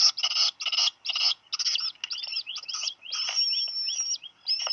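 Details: Two Black Guillemot chicks, hatched late June, at Seal Island National Wildlife Refuge, Maine, USA, on 8 July afternoon, one dropping a fish; rapid high thin peeping notes, some buzzy and some upslurred, in quick irregular bursts.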